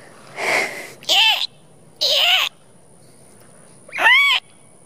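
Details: Four sandhill cranes give three loud, rolling, trumpeting calls about a second apart, after a brief breathy human sound. They respond to a person's imitated call, which the recordist suspects was a mating call, and display.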